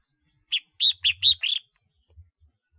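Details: Decoy red-whiskered bulbul, ringed-neck type (chào mào khoang cổ), uttering five sharp, ringing notes in rapid succession, the last one slightly trilled, followed by near silence.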